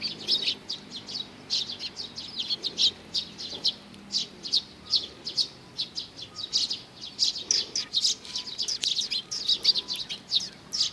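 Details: Eurasian tree sparrows, several birds coming to be fed at a water bridge on 4 June 2020; dense overlapping short chirps and tweets repeated rapidly throughout, with faint background hum.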